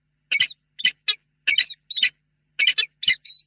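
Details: Peregrine falcons at their nest box, Reda, 28 February 2022, before evening during a tender meeting; a few separate grating squawks, then a faint steady whistling tone at the close.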